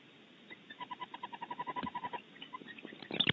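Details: At a nest cavity in California, a female and male barn owl defend it vocally: a steady run of short pulsed notes repeated about eight times a second, fading out, then a louder burst of rough clicking sounds.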